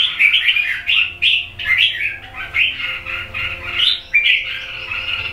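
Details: Red-whiskered bulbul, a wild bird from the A Luoi area of Hue, with red cheek patches, aged two seasons, singing rapid jumbled chirps and rising slurred whistles in a steady stream of short phrases.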